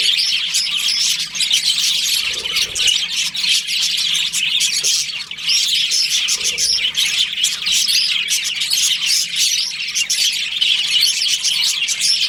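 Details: Breeding-season budgerigar colony in captivity; a constant wall of high-pitched chirping, chattering and squeaks from numerous birds, with a couple of slightly quieter moments in the middle.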